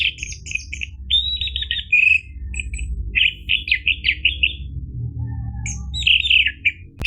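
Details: Orange-headed thrush singing, meant to make a caged bird start singing: a string of short slurred whistles and warbled notes, a brief pause, then more sweet phrases, low hum behind.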